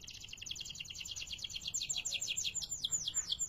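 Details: Canary (kenari) delivering a fast rolling trill of rapidly repeated high notes, which turn into clearer falling whistled notes toward the end; low background hum.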